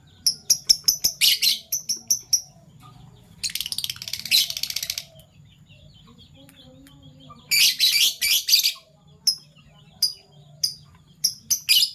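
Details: Morning chatter of captive Fischer's lovebirds, violet and gold opaline colour forms: rapid sharp high chirps in quick series, broken by long harsh buzzing bursts lasting a second or more, over a faint low hum.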